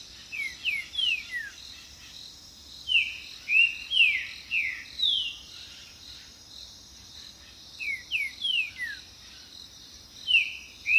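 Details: Singing green-winged saltator, its song serving courtship and territory defence: three phrases of quick, bright, falling whistled notes separated by short silences, against a continuous high cricket-like hum.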